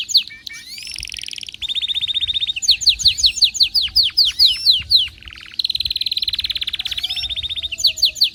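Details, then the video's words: Excited canary in full song, alternating fast even trills and buzzy rolls with runs of loud falling whistled sweeps, then a second long rolling trill; phrases change every second or two. "غناء كناري هايج ومولللعCanario -canary"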